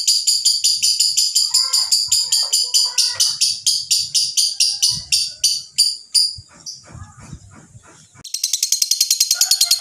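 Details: A lovebird ngekek that is rough and slow to stop, like a diesel: a fast high trill runs for about six seconds, then fades into scattered chirps and knocks before a fresh burst of trilling.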